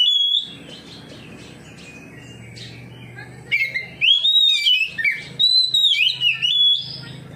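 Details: Oriental magpie-robin singing in ngeplong style, answering another magpie-robin; a brief whistle opens, then a quiet gap, then loud, clear whistled phrases rising and falling, with varied notes packed closely together for the last three seconds.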